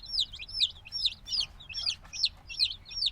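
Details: Freshly hatched black chicks, a few days old, chirp loudly in high, sharply falling notes, roughly two or three per second, several birds calling at once.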